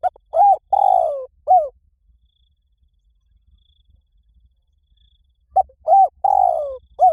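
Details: Spotted dove calling in the 'liw tan' style, used as a lure to train a dove to call back. Two coo phrases about five seconds apart, each a quick note, a rounded coo, a long buzzy falling coo and a short closing coo. Faint low hum.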